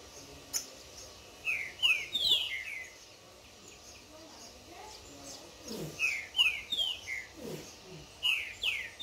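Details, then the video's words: Tournament Green-winged Saltator in the bush, singing against a wild free bird: loud, rich whistled phrases of quick slurred notes, each burst about a second long, answering one another every few seconds. "Trinca Ferro de torneio levando flexada do solto no esquenta"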